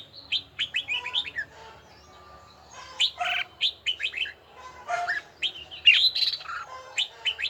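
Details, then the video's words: Red-whiskered bulbul training its voice in the bell-tone style, with rapid clusters of clear whistled and warbled notes, some steeply rising, in uneven bursts broken by short quiet gaps over a low background hum. "Chào mào luyện giọng hay nhất ||Nghe mãi không chán|| Tông giọng chuông đều chuẩn đúng nhịpnhất"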